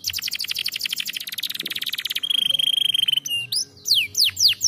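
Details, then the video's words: Canary singing to stimulate lazy birds: a rapid buzzy trill, a sustained flat whistled tone with a fast rattle underneath, then several loud descending whistled sweeps. "estimular muito rapidamente o som de canários preguiçosos cantando"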